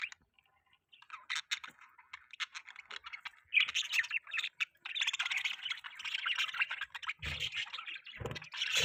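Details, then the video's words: Budgerigars chattering in the morning while they eat, a continuous scratchy warbling twitter that grows denser and louder, with a few low knocks near the end. "Budgies chirping sound"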